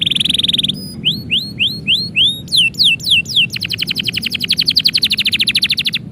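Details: Canary song as its owner is about to leave: a fast high roll, then five rising whistled sweeps, a few downward slurs, and a long rapid rattling trill ending abruptly.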